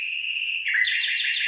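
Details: Bird singing in a rice field where the rice is starting to form ears: a steady high whistled note, then a buzzier, warbling phrase that shifts higher.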